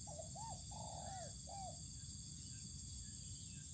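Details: Cooing of a spotted dove sunned outdoors in an open field: a short soft note, a looping coo, a long drawn falling coo and a last short coo, then only droning background hum.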